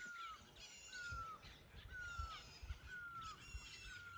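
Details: Forest bird's mating call, a steady falling whistle sounded roughly every second, five times, over a busy backdrop of higher chattering and squawking birds.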